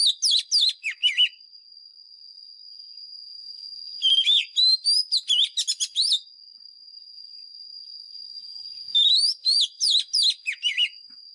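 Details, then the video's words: Oriental magpie-robin from the forest giving fighting song as a training lure: three separate bursts of fast, varied whistles and dipping slurs, each about two seconds long, spaced by quiet pauses with a thin constant high tone. "Chòe than mồi # Chòe than mồi Hót đấu CHIM RỪNG || Luyện giọng chòe than hót"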